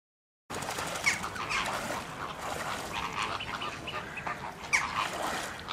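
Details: Magpie geese at Slimbridge honking over one another in a dense, continuous chorus of nasal calls, with two sharper, louder notes standing out above the flock.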